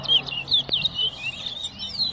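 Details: At Tuschen bird ground, Guyana, a Wessequibo towa towa (large-billed seed finch) sings during a whistling competition: clear, high, looping whistled phrases running without pause, with a single click midway.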